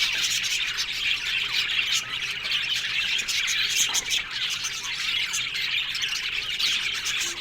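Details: Colony of Australian budgies in an aviary, a continuous din of scratchy warbles, chirps and squawks from numerous birds at high pitch.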